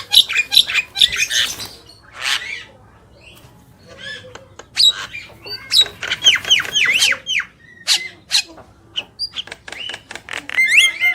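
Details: Black-winged myna, male and female; loud harsh squawks and screeches mixed with clear whistled notes and chattering bursts, uneven and busy throughout, with a low background hum.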